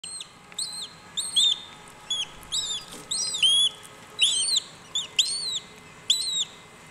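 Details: Cuban whistling duck chicks calling as they hatch at WWT Slimbridge, calling to synchronise hatching, give high thin peeps that rise then fall, several overlapping in quick bursts every half second, over a faint steady hum.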